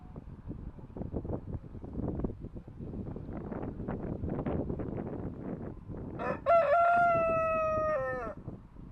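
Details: Cockerel gives one loud crow after six seconds of wind and rumbling outdoor noise: a short rising opening, then a long, steady, richly harmonic note lasting nearly two seconds before dropping away.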